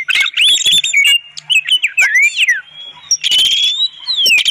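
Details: Oriental magpie-robin master song with clear tone, used to lure and prompt other birds: fast whistled slurs and chatter, then a long steady high whistle and a buzzy rising phrase.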